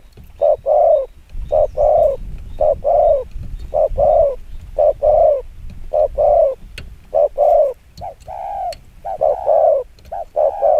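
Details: Long run of very fast provoking coos by a decoy spotted dove, short-long phrases repeated about once a second, some phrases overlapping near the end, faint clicks in the background.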